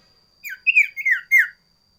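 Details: Sooty-headed bulbul (sirtu) singing a loud varied song: four quick whistled notes, each sliding down, delivered in a short bouncy phrase.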